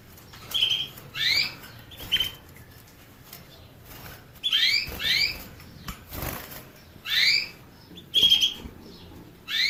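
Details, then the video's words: Series of short canary notes: brief flat whistles alternating with upslurred whistled chirps, coming in small clusters every two to three seconds, with a few soft clicks and faint background hiss. "the basics of canary birds' singing"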